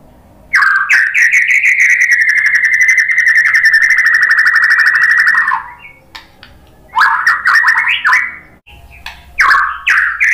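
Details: White-rumped shama song used to provoke other shamas into singing: a long, loud, buzzy rattling phrase held for about five seconds, then shorter sharp rising whistles and rasping bursts.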